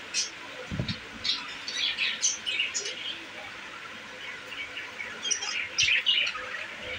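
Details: Budgerigars in a new cage, said to be content, give quieter scattered chirps and squeaks over a faint hiss, with a couple of soft knocks in the background.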